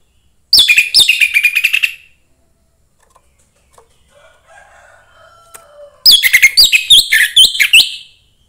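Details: Young wild orange-headed thrush from the forest, singing to provoke other thrushes: two bursts of high, varied whistles and chatter separated by a quiet gap with a faint lower sliding whistle in the background.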